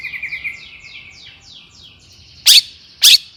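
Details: Long-tailed shrike singing excitedly to provoke rivals: a run of seven quick descending slurred whistles, a thin steady tone, then two loud abrupt harsh rasps.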